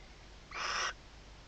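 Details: Barn owl in a nest box at Reserva Natural Riet Vell, Delta del Ebro, at night on 21 October 2025, second clutch, as the male arrives with prey. A single abrupt, noisy screech lasting under half a second, with low background hiss.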